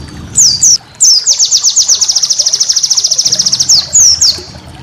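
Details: White-eye song for teaching cage birds: a few piercing downslurred whistles lead into a long, machine-fast trill of even high notes, ending with two more slurred whistles.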